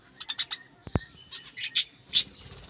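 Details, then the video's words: Caged budgerigars in a small aviary give quick, bright, high chirps, a few in a rapid run, then several louder sharp squeaks, with one low thump. "বাজরিগার পাখির ডাক | বাজরিগা পাখির ডাকাডাকি ~ Birds sounds and birds singing in a small birds aviary"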